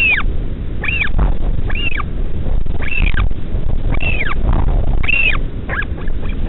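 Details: At midnight, a parent returns to feed a northern royal albatross chick at the Pukekura/Taiaroa Head colony near Dunedin, New Zealand. The chick gives about six high, arching squealing whines, roughly one per second, over a steady low wind rumble.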